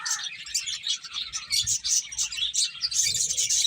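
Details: Eating finches produce rapid, overlapping high chirps and tweets, with soft low thuds and a short buzzy note near the end.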